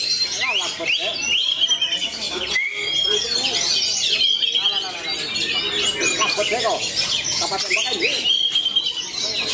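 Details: Magpie-robin of the 'matador' type, described as ready to compete, delivering a dense, varied song of high whistles, buzzy trills and sweeping notes that run almost without pause, with overlapping chirps and a low voice-like murmur beneath.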